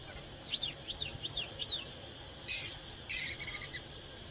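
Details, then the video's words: Oriental magpie-robin singing in the fired-up 'căng lửa' style. Four quick paired downslurred whistles come in a run, then short buzzy, harsher bursts follow, over a steady faint high hum. "เสียงนกกางเขนบ้านหรือนกบินหลาขี้ควายใต้ Chích chòe than CHÒE THAN CĂNG LỬA HÓT MÚA CỰC HAY นกกางเขน"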